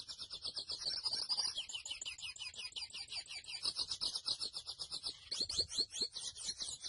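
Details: Grey seedeater, known locally as mochuelo, delivering a long continuous high song of rapid chirps and trills, about four notes per second, with buzzy rolled passages and rising slurred notes near the end.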